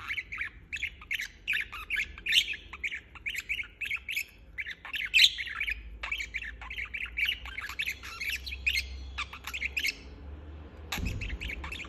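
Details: Budgerigar chirping on and on in a steady stream of scratchy, warbled notes, with a short quiet gap near the end before the chatter resumes.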